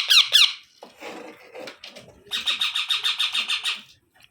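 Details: Two sharp squeaky squawks, a stretch of softer grating, muddled sounds, then a steady run of about ten harsh rhythmic squawks from a baby parrot.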